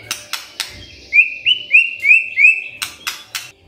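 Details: Magpie-robin morning lure: a few sharp clicks, then a series of five bright rising whistles in quick succession, then more clicks.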